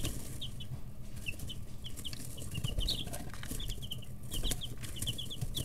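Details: Brooder of chicks 11-13 days old, pecking and stretching with wing and tail feathers growing; dense overlapping high peeps and chirps from several birds, with tapping and a low hum.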